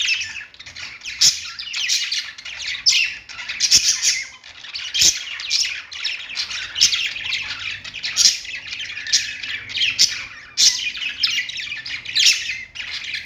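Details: A flock of budgies singing on a perch: long run of scratchy, chattering warbles broken by short pauses and frequent sharp clicks, several birds calling over each other.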